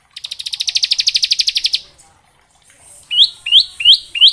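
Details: Bar-winged prinia, the ngebren variation of its song used as a tutor for juvenile birds: a dense, rapid trill of sharp notes, a pause, then four separate upward-slurred whistled notes.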